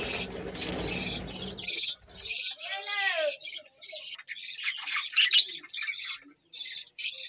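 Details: Budgerigars in a colony at a village home chirp and warble in scratchy, high bursts; low rumbling noise at the start, then a clear looping whistled note among the chatter.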